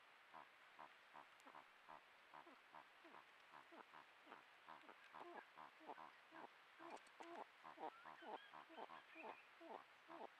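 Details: Malleefowl pair vocalising to each other when the first egg of the 2024-25 season was laid on 7 September; a steady run of short, clucking pulses about twice per second, growing slightly louder, with faint high bird chirps late on.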